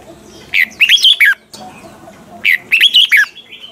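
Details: Double-note song of a caged red-whiskered bulbul kept as a tutor bird for song training: two matching phrases of bright, bouncy, slurred whistles, each under a second long, delivered about two seconds apart.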